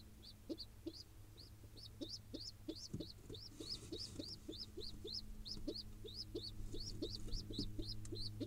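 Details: In Israel, a wild pigeon nestling begs as its father feeds it, uttering insistent high squeaky notes about three or four per second, steadily repeated, over a low droning hum.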